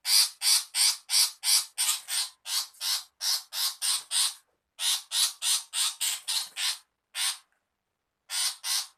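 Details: Female long-tailed shrike used as a lure, screaming: harsh, rasping, broadband notes about three per second in long runs, broken by short pauses, on a quiet background.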